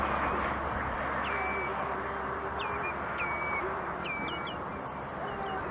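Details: Rare White-tailed lapwing seen in Erzurum, Turkey, giving sharp, clipped whistled notes in irregular bursts of one or two over a steady hiss of wind or distant water.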